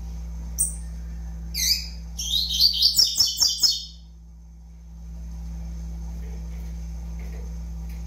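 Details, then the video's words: Young double-collared seedeater, five months old, singing: a few thin high chirps, then a rapid run of about eight buzzy, chattering notes over some two seconds, with sharp clicks beneath and a steady low hum throughout. "FILHOTE DE COLEIRO AVAX 5 MESES DE VIDA"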